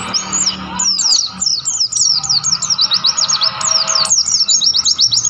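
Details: Mountain white-eye in the wild on Mount Lawu near Tawangmangu, singing vigorously: very high, quick descending chirps linked into a long, lively twitter that speeds up into dense runs in the second half.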